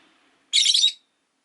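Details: Caged rosy-faced lovebird beside a window: after faint background hum, one harsh, buzzy, shrill squawk lasting about half a second.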